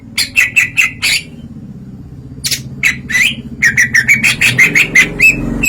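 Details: Greater green leafbird, kept as a songbird, singing loudly in an open 'ngeplong' style: rapid series of sharp chirps and slurred whistled notes around the middle-high range, separated by a short pause, with a low hum beneath.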